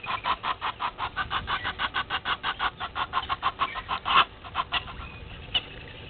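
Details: A red-billed hornbill (Tockus erythrorhynchus) looking for a meal at Gowrie dam waterhole, Djuma Game Reserve, Sabi Sand, South Africa, at 07:48 on 20 March 2021, gives a fast run of hollow clucking notes, about five per second, steady then trailing off.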